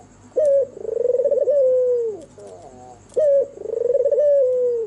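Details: At night an albino white turtle dove, red-eyed, sings a sweet coo: a short sharp note, then a trembling, pulsing phrase that levels off and slides downward, given twice, with quieter wavering notes in between.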